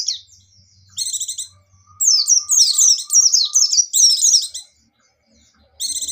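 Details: Buxtoni white-eye singing in the lively 'gacor' and 'ngecir' style: stacked buzzy trill bursts alternate with fast, high slurred downward whistles in a near-continuous run, with a faint low steady tone in the background.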